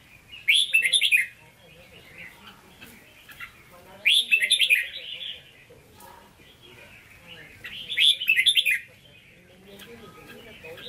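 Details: Hue-style singing from a caged red-whiskered bulbul ('hót ché'): three loud, ringing warbled phrases, one about every four seconds, with quiet chatter between them.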